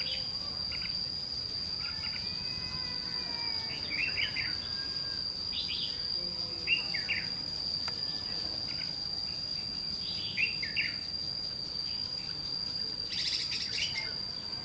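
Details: Red-whiskered bulbul, white-cheeked, giving a fighting song as a trapping lure, scolding the decoy: bright warbled phrases with rising and falling slurs every couple of seconds, against a constant shrill insect drone and a brief rustle.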